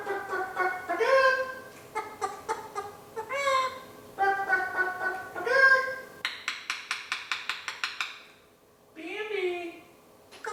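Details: Young male eclectus parrot kept as a pet, clucking like a chicken: rapid staccato clucks mixed with harsh harmonic squawks, then a fast train of dry clicks and one drawn-out nasal call near the end.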